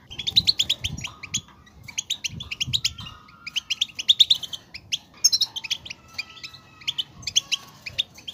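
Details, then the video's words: Song of a European goldfinch for getting a goldfinch to sing, lively twittering phrases of high chirps and buzzy trills in bursts, with faint thin whistled tones underneath. "10 Minutes To Make Your Goldfinch To Sing!"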